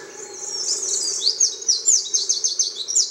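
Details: Mosuke wren (Eurasian wren) singing at Tairo-ike pond on Miyake Island, Japan, 22 May 2011: very high, sharp chirps run into a rapid, rattling trill of repeated notes, loud and steady through the second half.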